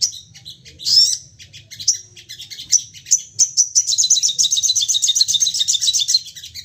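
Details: Agitated crested jay (sogon) firing calls repeatedly. Isolated sharp, high whistled notes come at first, then build into a fast, dense chattering rattle. The recording serves as a calling lure.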